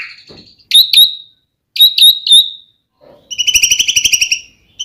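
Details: White-rumped shama used as a lure to get other shamas singing: piercing high whistles with clicky starts in two short groups, then a fast, buzzy, rattling trill.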